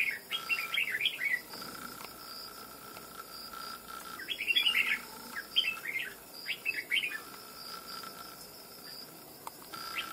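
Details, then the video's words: Stubborn wild red-whiskered bulbul, caught after nearly two months of trapping and now settled in a cage, with a loud bell-like voice; bursts of rapid, warbled, liquid notes in clusters separated by short pauses, over a steady background hum. "Cực Mau Mỏ Giọng To Chuông"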